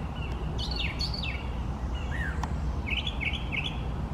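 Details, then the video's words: Male brown thrasher singing, with clearly paired phrases: two descending slurred notes, a single falling whistle, then three quick repeated rising-falling notes, all above a low rumbling background. "Brown Thrasher singing beautifully"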